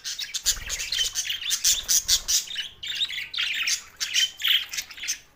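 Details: Budgerigar chatter recorded June 7, 2024 in Larkana, Sindh: rapid, overlapping high squawks and chirps in steady pulses, a few clear whistled notes near the end.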